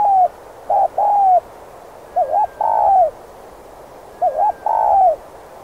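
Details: Cooing spotted dove, kept to attract wild doves, repeating a phrase roughly every two seconds: a quick wavering double note and then a drawn-out, gently falling coo, with quiet hiss between phrases.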